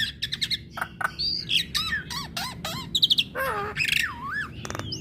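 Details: Female black-winged starling song meant to draw replies from other starlings: rapid run of harsh chirps, arched whistles and buzzy notes, with a low hum underneath.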